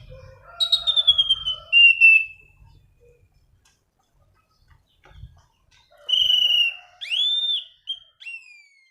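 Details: Orange-banded thrush in rolling song for luring and tutoring birds: bursts of fast whistled and chattering notes with a falling whistle, a pause, then upward-swooping whistles.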